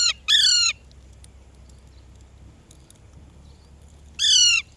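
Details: Parrot giving two harsh, loud squawks, one near the start and one near the end, separated by several seconds of near-silence.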